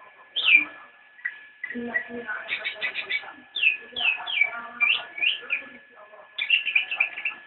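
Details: Nyinden song of a cicak rowo (straw-headed bulbul): a loud slurred whistle, a rapid trill-like series of repeated notes, then a run of evenly spaced downslurred whistles about half a second apart.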